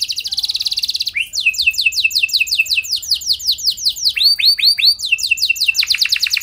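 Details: Canary song, a bird in strong full voice meant to prompt other canaries to answer: a fast buzzy trill, then rapid downslurred notes repeated about nine per second, switching to rounded rising-falling whistles and fresh rolling phrases.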